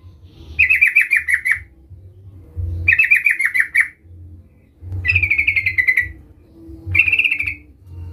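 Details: Sooty-headed bulbul (trucukan) calling out a rival, intended to lure other bulbuls into song: four rattling, slightly falling phrases repeated about every two seconds.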